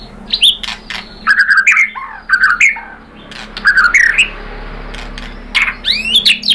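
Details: White-rumped shama song used as a lure to make other birds answer, a lively, clear-voiced lure song full of varied phrases. Bright whistled slurs and rising notes come in bursts with harsh squawky accents and short pauses between phrases.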